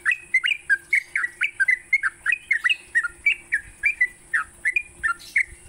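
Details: Lively morning singing by a yellow-vented bulbul, played to stimulate pet bulbuls: chattering, liquid notes that jump up and down, delivered nearly without pause, with a steady high hiss in the background.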